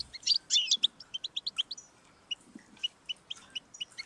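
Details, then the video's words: Goldfinch song for prompting a pet goldfinch to sing: a brief buzzy jumble, then a steady series of short high chirps repeated several times a second. "Audiorecordings of the goldfinch to stimulate birdsongs"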